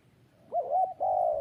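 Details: Single spotted dove phrase, close and loud: a short wavering double coo followed by a long, smooth, slightly falling note.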